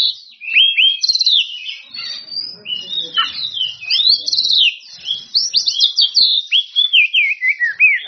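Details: Oriental magpie-robin in full song, calling out rivals. High, continuous varied phrases: sweeping whistles, quick trills and rhythmic repeated notes toward the end.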